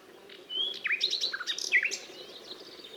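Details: Nightingale singing a jumbled phrase of whistles, sharp slurred notes and brief chatters over a steady background hiss.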